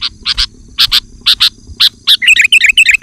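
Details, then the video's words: Sooty-headed bulbul giving loud song to lure wild birds and challenge rivals: paired harsh buzzy notes repeated about twice a second, ending in a fast bubbly warbled run. "Suara Burung Kutilang Gacor Rapat dan Lantang Menekan Lawan Kutilang lain Langsung ikut gacor"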